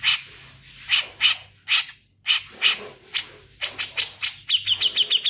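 A grey-cheeked bulbul gives harsh, scratchy bursts about twice a second, ending in a quick run of repeated high, trilling notes.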